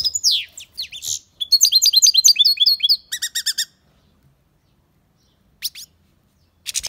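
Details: European goldfinch singing: sweeping chirps, then a dense burst of liquid twittering and a short rattle of clipped repeated notes, followed by silence and two brief high chirps.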